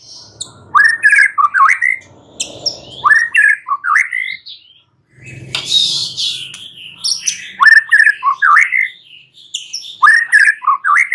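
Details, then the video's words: White-rumped shama at night, singing bursts of rich, rapid, rising and falling whistled notes in phrases separated by short pauses, with some higher chattering notes mixed in and a soft low rumble in the gaps. "Pancingan Murai batu MALAM HARI Auto NYAUT GACOR"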